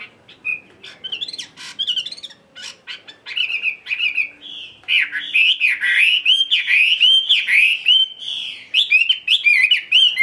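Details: Chinese hwamei, a tame cage bird, singing solo around midday. Scattered sharp chips and short whistles build into a long, loud stream of looping, slurred whistled notes, repeated roughly twice a second, with a faint low hum in the background.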